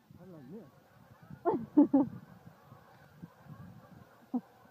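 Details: Huge flock of Canada geese flying in low on a full-moon night hunt in Ontario, Canada, captured by iPhone: a wavering honk, then a cluster of three sharp honks and a later single honk over faint flock chatter.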